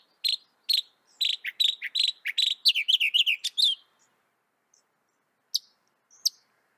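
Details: Northern mockingbird (Mimus polyglottos), North America, repeating sharp, clicking chip notes in quickening succession, shifting into a brief twittering phrase, then fading to isolated high notes.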